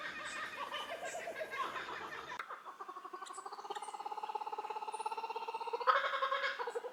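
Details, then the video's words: Laughing Kookaburra in full laugh: a rough, chuckling start breaks into fast, rhythmic 'ha-ha-ha' hoots, about three per second, swelling into a loud cackle. "Laughing Kookaburra"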